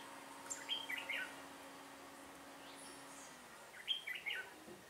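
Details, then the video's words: Red-whiskered bulbul used in decoy trapping, 1 October 2018: two short warbled phrases of bright, bouncing whistled notes about three seconds apart, with quiet background hum between them. "Bẫy chào mào Họng ếch ương"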